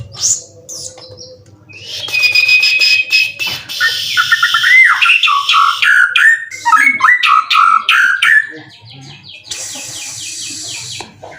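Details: Caged competition white-rumped shama from Indonesia, a twelve-time winner moulted three times, in 90% condition, singing full cililin-style material: rich varied phrases of buzzy rattles, sharp upslurred whistles and rapid chattering bursts, with a faint low hum beneath.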